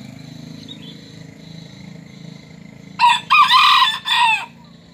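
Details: Serama bantam rooster, an aggressive bird that crows often, giving a loud multi-part crow near the end: a harsh opening burst followed by a longer sustained strained note and a falling tail, over a low steady background hum.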